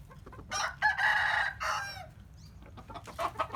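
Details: Rooster crowing in the morning, a loud harsh crow in three parts with a long level middle, then quieter clucking from other chickens.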